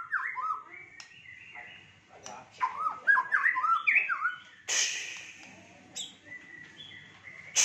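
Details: White-rumped shama singing a fighter-style song with rich fill: stepped whistled notes and bright slurs, broken by a loud noisy burst midway, then steady whistled tones.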